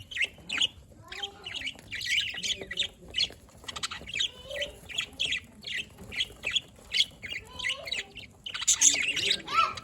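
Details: Budgerigars chirping, recorded 27 October 2023: continuous busy warbling chatter of short scratchy chirps and squeaks, with faint low background noise throughout.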